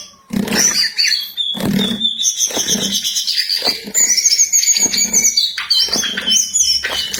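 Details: Jongkangan singing vigorously with long high whistles and rapid warbled trills, while dull low thumps repeat roughly every second in the first half.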